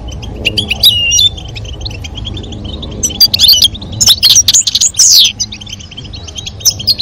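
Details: European goldfinches, female calling and male singing toward mating; scattered high twittering phrases and chips become louder and denser midway, with a downslurred note, over a low background rumble.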